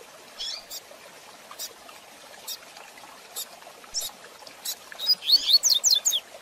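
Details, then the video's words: Song of a rusty-collared seedeater in the quick 'tui tui zel zel' style for teaching young birds: soft scattered ticks, then one rapid cluster of high, sharp, falling notes near the end. "Tui Tui Zel Zel de Fibra Canato Rápido Para Treinamento e Encarte"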